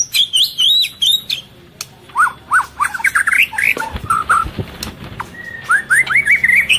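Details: Breeding-condition female white-rumped shama, calling to stimulate males and feeding its chick: quick repeated high chirps, then a string of slurred rising whistles and squeaky notes, followed by more rising whistles.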